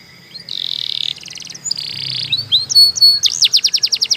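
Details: Canary song for training: two buzzy sustained notes, a thin whistle, then a quick series of repeated sweeping notes, with a faint low hum underneath.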